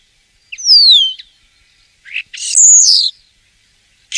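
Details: Common starling song: a clear descending whistle sliding down, a short chirp, then a harsh squeaky rising-and-falling phrase after a pause, with another note starting at the end.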